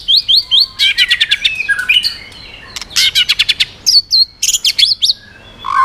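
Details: White-rumped shama singing a varied, loud song meant to provoke other birds: quick rising whistles, bursts of rapid buzzy repeated notes, sharp high chips and short whistled phrases, changing pattern every second or so.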